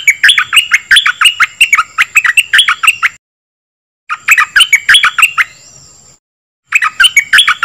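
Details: Dok taeng bird singing, a recording meant for training young birds and exciting them: fast, dense runs of crisp chirps in three bursts split by brief silences, with a faint continuous high whine.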